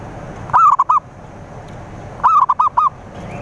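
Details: Zebra dove lure song meant to draw in rivals, with two short phrases of about four quick, hollow coos each, separated by a pause of over a second, against faint background hiss.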